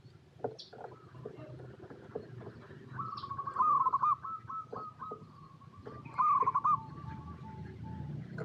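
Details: Zebra dove, a local strain, cooing to draw other zebra doves into song. Faint, rolling trilled coos rise out of a noisy outdoor background with low rumble and scattered clicks.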